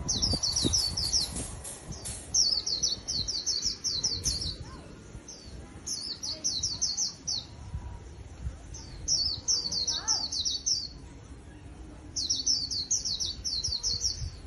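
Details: Recently trapped wild white-eye, a caged songbird praised as a good competitor, delivering rapid runs of sharp, high, downslurred chirps in bursts of about two seconds separated by short pauses, with faint voices in the background.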